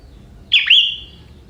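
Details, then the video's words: Single ringing phrase from a young wild sooty-headed bulbul, its song carrying prinia-like fill: an abrupt sharp note bending down and back up, then a drawn-out steady whistle fading away, with a quiet low hum beneath. "Burung Kutilang Muda Hutan ini, Isian Prenjak"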